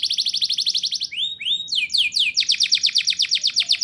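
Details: Canary in full rolling song, played to encourage young canaries to sing: a quick pulsing trill, two swooping whistled notes, a cluster of descending slurs, then a long regular rolling trill.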